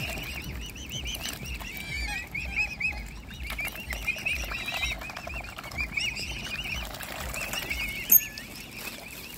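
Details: Cygnets of a mute swan family taking food from a hand: bursts of shrill, undulating peeps come in clusters separated by short gaps. Pecking, splashing and a sudden click are also heard.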